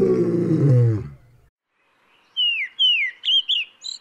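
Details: A deep, harmonic roar opens, then a Kurrichane thrush (Turdus libonyana) gives five quick, clear whistled notes, mostly sliding downward, in about a second and a half.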